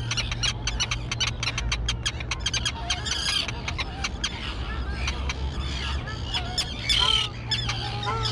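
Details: Young terns at a grassy island colony, recently fledged: a string of sharp clicking notes, then scattered harsh cries and a louder screech near the end, with a low hum in the background.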